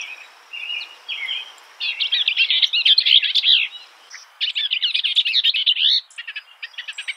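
A skylark pours out a rapid, chirruping warble of high trills and buzzy notes in long unbroken runs, with brief pauses between phrases.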